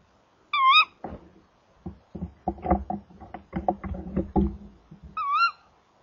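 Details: Female tawny owl at 19:18 arriving at the nest box and calling: two sharp, slightly wavering calls with scratchy knocking and rustling between; she peeks inside, turns away and flies off.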